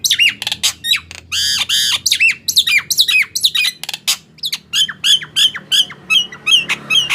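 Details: Nias hill myna song meant to make silent mynas sing: loud, rich squawks and arched whistles tumbling rapidly at first, then settling into quicker, clipped ringing notes about three per second.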